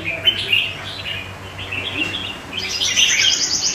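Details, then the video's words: Red-whiskered bulbul song among other surrounding birds, a quick run of sweet chirped notes that climbs into higher, sharper whistles toward the end, over a faint low hum. "Chào mào Mào Lân Chơi tốt với các CB xung quanh khác"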